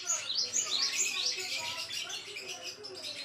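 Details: Java sparrow (gelatik wingko) song used as a model for training songbirds: dense, rapid high chirps and twittering notes, closely packed and fairly steady, with a continuous busy chatter throughout.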